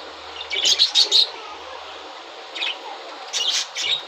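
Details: Budgerigars in breeding season, when eggs are laid, utter quick high chirps in a rapid run of four notes, then scattered twitters after a pause.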